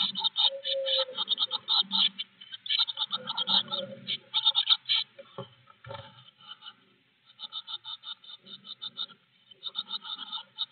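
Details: Blue tit inside a garden nest box, recorded by an in-box camera on 25 May 2021; bursts of rapid, high, ticking chirps repeated in quick trains, with short pauses, soft lower rustling and a brief quiet gap midway.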